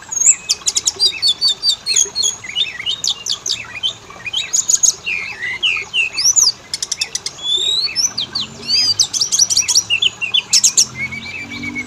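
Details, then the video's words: Oriental magpie-robin lure recording for setting males and females singing: an energetic mix of rattling bursts, clear whistled slurs and high squeaky notes, delivered continuously with short gaps. "Pancingan burung Kacer; jantan betina langsung bunyi"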